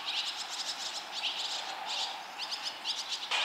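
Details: Five barn swallow chicks fledging almost at once, with fledglings from other nests calling around them; bright, rapid, high-pitched chirps in overlapping bursts, nearly continuous, from more than one bird.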